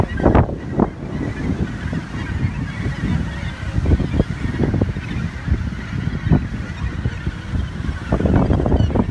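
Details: Many Australasian gannets at their Muriwai Beach breeding colony in New Zealand give coarse, rasping calls in irregular bursts, loudest at the start and end, amid low wind rumble.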